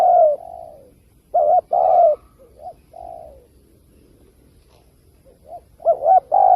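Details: Spotted dove lure call for trapping: loud mellow coos and a double hoot early on, then a quieter stretch with faint, distant cooing, before strong double-noted coos return at the end.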